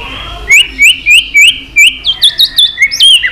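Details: White-rumped shama singing to provoke fighting: a string of quick upslurred whistles repeated about every third of a second, followed by faster, higher, looping notes, with faint clicks between.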